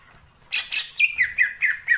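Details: Wild greater green leafbird in forest: two scratchy bursts, then five short, clear whistled notes, each dropping slightly in pitch, repeated in quick succession.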